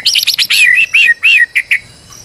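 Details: White-rumped shama, a stressed bird used as a lure to make another sing: a loud burst of buzzy high notes followed by rich slurred whistles falling in pitch, then two short chips.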